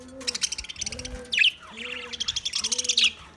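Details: Budgerigars chattering in rapid, buzzy high bursts of clicks and warbles, with a brief louder squawk midway; soft low cooing phrases recur underneath.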